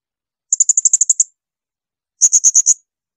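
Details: Blue-crowned hanging parrot shrill shots for mastering songbirds: a rapid string of about eight thin, piercing notes, a pause, then five fuller, slightly slower high notes.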